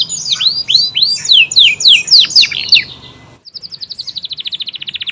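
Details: Canary song from a local, AF or AFS type bird: a run of bold, swooping whistled notes, a short gap, then a clean, rhythmic trill slowly dropping in pitch.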